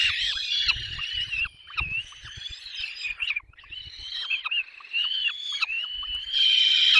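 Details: Begging peregrine falcon chicks at a nest in Poland's Barycz Valley, 6 May 2021, as they are fed. Continuous high, trembling whines rise and fall, with several voices overlapping, and a few soft low thuds.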